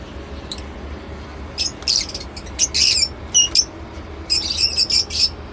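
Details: Lovebird giving scattered, piercing high chirps and squeaky notes, some paired, starting after a quiet first second and a half and ending in a quick stuttering series; a soft low hum runs throughout.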